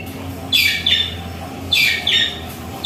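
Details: White-rumped shama singing in the morning at a home: two short bursts of bright whistled and chattering notes, each with a steady high whistle followed by a lower slurred phrase, separated by quiet pauses.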